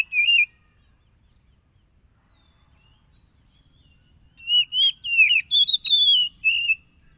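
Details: Oriental magpie-robin song meant to provoke a caged bird, recorded by phone on 30 July 2022 in East Lampung, Indonesia: one short whistle, a long pause, then a burst of sharp, warbled whistles and clicks.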